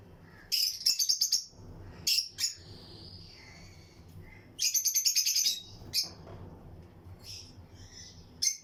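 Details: Colony of lutino lovebirds in a breeding aviary, other birds around: three bursts of fast, shrill, buzzy chirp trains, the longest near one second, separated by quieter thin twittering and faint low hum.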